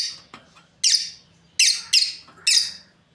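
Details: Lovebird breeding pair, probably kept as pets: a handful of sharp, high, harsh chirps and squawks, each short burst separated by roughly half-second pauses, with a faint low hum in the background.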